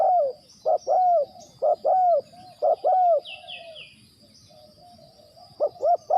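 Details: Spotted dove kept as a decoy for trapping wild birds, giving clustered low hollow coos, some doubled with a slight downward tail, repeated in bursts; brief high chirps and a steady thin high whine in the background.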